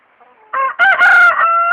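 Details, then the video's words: Leghorn rooster giving a short crow: a soft note leads into a loud, slightly rough main phrase that holds steady and then eases into a level tail, with faint chatter before the crow. "Ayam Leghorn BERKOKOK"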